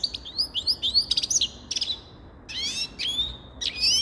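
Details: Grey-crowned goldfinch song: a short series of bouncy, rising chirps in quick succession, then a pause and several longer buzzy, nasal twitters near the end.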